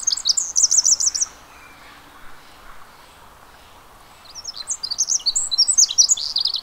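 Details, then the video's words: Pacific wren recorded at the Mamquam Spawning Channels: a burst of high, fast, tinkling trills opens, followed by about three seconds of near silence. The rapid, jumbled, squeaky song then returns and runs on. "Pacific Wren"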